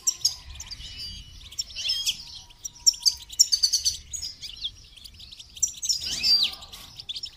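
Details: Goldfinch song recorded during song training: rapid, buzzy, twittering phrases high in pitch that come in clusters of sharp chirps, with brief pauses and a faint tone in the background.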